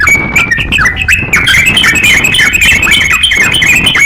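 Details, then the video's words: A crocok-cokan in full voice, meant as a master recording for songbird training, pours out fast chattering chirps and high thin whistles over a constant hiss. "crokcokan gacor siap jadikan masteran kicauan"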